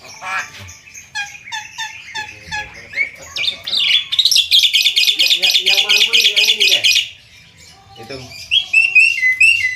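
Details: Javan myna (jalak kebo) singing in the lively konslet gacor style: scattered chirps and short whistles, then a loud, rapid buzzy run of repeated notes for about three seconds, then brief squawky phrases after a pause.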